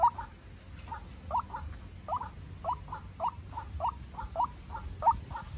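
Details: Decoy White-breasted Waterhen meeting a wild waterhen in a tense duel: a rapid run of short upslurred notes, some doubled, repeated about every half second against faint low rumble.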